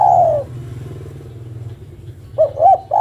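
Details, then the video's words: Female spotted dove calling the male. The tail of a long falling coo, then a quiet gap with low hum. Then two short hooting notes and the start of another drawn-out coo. "Suara burung derkuku betina memanggil jantan"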